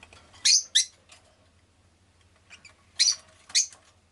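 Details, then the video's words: Shrill, scratchy chirps from a pet rosy-faced lovebird, a pair of loud notes close together, a short quiet gap, then two more piercing chirps. "Lovebird Chirping Sounds"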